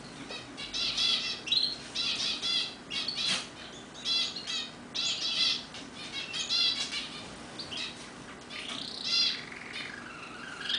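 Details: Belgian canary (Serinus canaria domestica), kept as a roller-type singer in a home aviary, sings a continuous run of rapid, high-pitched rolling trills and chattering phrases; several birds possibly overlap, with a faint hum behind.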